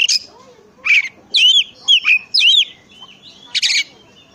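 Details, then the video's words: Oriental magpie-robin song meant to set other magpie-robins singing: separate loud whistled phrases with bending, looping notes roughly every half second, closing with one harsh buzzy burst. "pancingan suara kacer"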